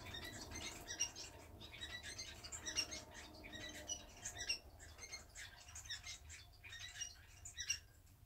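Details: Society finches at home, two birds nestled side by side preening after bathing, utter frequent short high chirps and squeaks in loose bursts, mixed with rustling of feathers and faint room hum.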